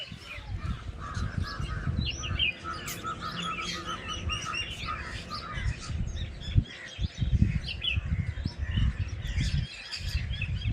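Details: Birds chirping in a village: many overlapping high twittering and whistled notes throughout, several callers at once, over a strong low rumbling background noise with occasional thumps.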